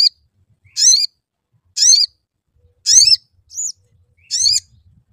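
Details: Sooty-headed bulbul lure recording used to make the bird sing: four harsh, rasping, upward-sweeping notes about once a second, with a single high arched whistle between the third and fourth.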